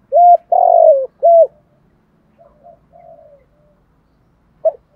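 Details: Cooing decoy spotted dove in 'giọng thổ' style, meant to lure wild doves: one loud phrase of hoot, long falling vibrating coo and hoot, followed by faint distant coos and the start of another phrase.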